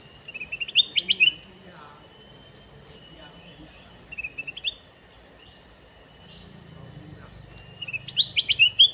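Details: Male red-eyed sooty-headed bulbul heard in three separate short bouts of twittering chirps, moderately soft, with long gaps between them and a constant high hum throughout.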